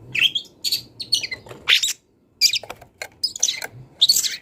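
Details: Long-tailed shrike, wild, singing: squeaky high slurred whistles and harsh chirps, a short silence, then more scratchy squeaks.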